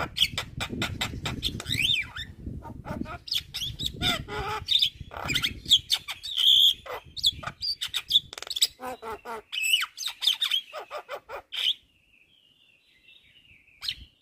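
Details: Jalak kebo (Javan myna) in energetic full isian song, a masteran for tutoring songbirds: busy rattling clicks and squeaky whistles over low noise, ending in a thin drawn-out whistle after a pause.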